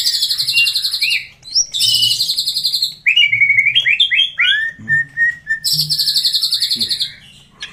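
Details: Greater green leafbird song meant to get birds singing fast: long high rattling trills alternate with slurred descending whistles and quick chirps, the trills returning twice.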